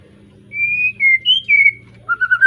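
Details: Kept young White-rumped shama, just through its juvenile moult, Tangerang Arko bloodline, Petarukan, Pemalang: several clear drawn-out whistles stepping up and down, followed by a short run of quick rising notes.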